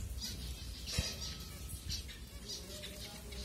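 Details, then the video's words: Finches at feeding time in Kumarapuram Thoppur, Kanyakumari, Tamil Nadu, India, recorded on a phone: short harsh squawky chirps repeated roughly once a second, overlapping from several birds, with soft low thumps and a rumbling background. "Finches 🐦Ep#08 Food time"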